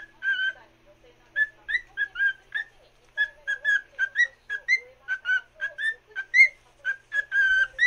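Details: Pet cockatiel serenading another cockatiel with a long chain of short whistled notes, some rising at the end, delivered in bursts with brief pauses.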